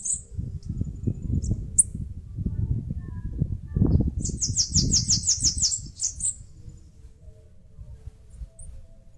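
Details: Bananaquit, called caga-sebo or sibite, nest-building in a mandacaru cactus in the Brazilian Northeast: a few isolated high chips, then one quick trill of thin, sibilant notes ending in a slur, over low rumbling.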